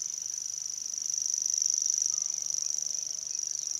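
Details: Grasshopper warbler reeling without a break at Ezumakeeg, Lauwersmeer, Friesland, Netherlands, on 3 May 2011: a high, dry, insect-like ticking trill held on one pitch, with faint calls from other birds lower down.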